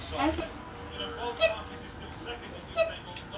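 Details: Young lovebird about two and a half months old, described as aggressive, giving sharp, very high squeaky chirps, about five in three seconds at uneven spacing, over a low background hum and faint muffled human voices.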